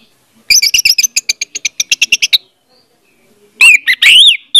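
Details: Orange-headed thrush used as a lure for a silent bird: a rapid rattling string of repeated sharp notes, followed after a pause by loud, scratchy, slurred whistles.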